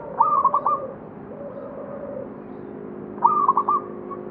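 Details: Local zebra dove near Candi Rimbi temple, Jombang, at the foot of Mount Anjasmoro, gives a quick trilled cooing phrase, then a long low coo, then repeats the staccato phrase three seconds later.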